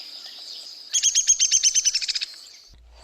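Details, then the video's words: Downy Woodpecker whinny from the Lake Tahoe area: a fast run of about a dozen sharp, high notes over a second, dropping gradually in pitch, over faint background hiss. "this one's easy to remember once you realize that the downy woodpecker has a sound that goes down in pitch"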